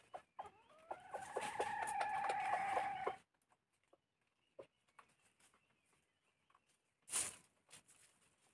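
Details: Red junglefowl giving a long, loud, strained crow of nearly three seconds, harsh and harmonic-rich, followed by quiet with scattered faint clicks and a brief sharp noise.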